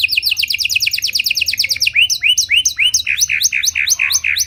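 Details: Panda canary cengkok song for training other canaries: very rapid repeated falling notes slowing into louder, spaced downswept whistles roughly three a second.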